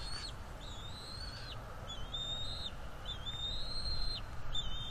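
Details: Juvenile bald eagle at a nest, mantling and protecting two fish from its parents, squealing and chittering as it claims the food; high thin whistled squeals, drawn out and slightly rising, repeated in a steady series over low rumbling background noise.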